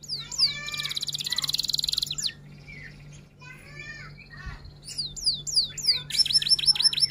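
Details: F1 canary, long-duration song with roll and tembak elements: a buzzy pulsed rattle, a quieter stretch of soft notes, then loud repeated falling whistles and a rapid trill.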